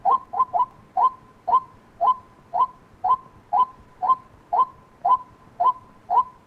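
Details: White-breasted waterhen calling: a steady series of short, hollow, mid-pitched notes with a quick downward inflection, repeated about twice a second with a slight hurried cluster at the start, over quiet low background hiss.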